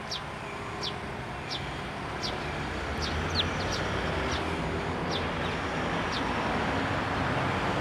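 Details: Several sparrows flock to a feeding spot on a handrail at a Tenmangu shrine, 29 June 2023: sharp high chirps come roughly every half second to second, while a low traffic-like hum slowly grows louder.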